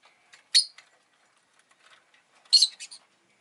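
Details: Rosy-faced lovebird kept as a pet, giving two bursts of piercing, scratchy high chirps about two seconds apart. The second burst is a rapid cluster of three or four notes. Faint soft twitters come between the bursts.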